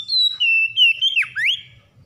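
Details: Stressed Oriental magpie-robin (kacer) provoked into singing: a continuous whistled phrase, gliding down in steps, then a sharp plunge and upward swoop, loud and clear.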